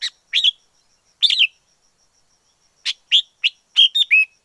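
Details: Wild red-whiskered bulbul: warbling notes at the start, a rich slurred phrase, a pause, then a faster closing run of clear whistles ending in a falling note.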